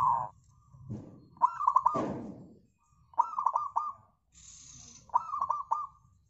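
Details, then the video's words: Local zebra dove singing hard as a lure to set other doves singing: four rhythmic phrases of staccato cooing notes, each ending in a sustained tone, broken by a loud rushing noise around two seconds. "PANCINGAN AMPUH PERKUTUT LOKAL SUPER GACOR"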